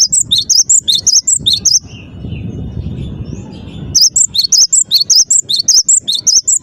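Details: Vigorous cinereous tit song: bursts of piercing, high two-note whistles repeated rapidly, broken by a two-second pause with soft low background noise before the ringing phrases resume at the same brisk pace.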